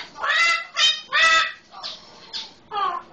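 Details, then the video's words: Pet Solomon Island eclectus parrot giving five harsh, raucous squawks in about three seconds, mimicking the loud calls of the household's red-lored amazon. "SI Eclectus - sounding just like our red lored amazon"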